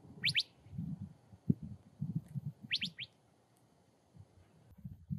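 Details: Curve-billed thrasher, a desert bird. Two bursts of sharp, quickly rising whistled notes, the first near the start and a pair about two and a half seconds later, with low rumbling and rustling noise throughout.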